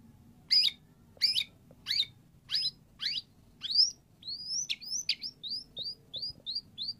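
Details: Energetic white-rumped shama song, used as a prompt to get a quiet shama to answer: several sweeping, slurred notes about every 0.7 seconds, then a quicker series of rising whistled notes.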